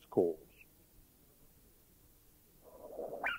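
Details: Greater Yellownape in a Thai national park (Khao Yai, Doi Inthanon, Doi Suthep-Pui or Chae Son) giving two of its calls about three seconds apart: a short, nasal, mewing note, then a longer, harsher call rising sharply at the end.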